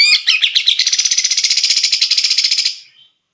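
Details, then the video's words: Loud, varied contest song of a Grey-cheeked bulbul used as tutor material: a quick jumble of notes becoming a rapid, even, buzzy rattle of about eight notes per second that fades out. "Cucak jenggot || Masteran wajib para kicau mania"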